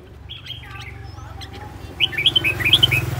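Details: Red-whiskered bulbul decoy bird, aggressive and spinning about, singing: faint thin whistles early, then a loud run of rapid warbled, whistled notes packed together over the last second, over a low steady hum.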